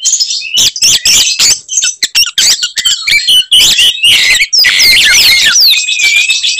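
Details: Oriental magpie-robin in combative song meant to enrage other magpie-robins: rapid ticking clicks and chattering interspersed with sharp whistles, then a dense burst of swooping whistled notes.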